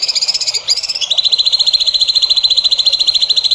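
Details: Songbird song used as training material for young songbirds: rapid, dense trills repeated about three to four times a second, high and buzzy, shifting from an upper trill to a steady lower pulsed series.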